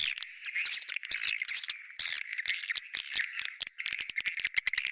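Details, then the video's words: Swiftlet lure called bintang utara: buzzy, squeaky twitters with short gaps, giving way to fast dry clicking rattles in the second half. "Sp yg d sukai burung walet.sp bintang utara"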